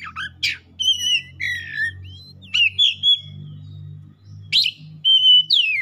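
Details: Heated-up Oriental magpie-robin (kacer) singing its learned imitations: dense mix of rising and falling whistles, buzzy harsh notes and chirps in quick succession, with low mechanical hum underneath.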